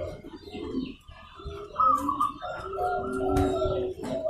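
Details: Local zebra dove calling to goad other doves into responding; overlapping tonal cooing phrases with bright whistled notes, a sharp click near the end, and faint background chatter.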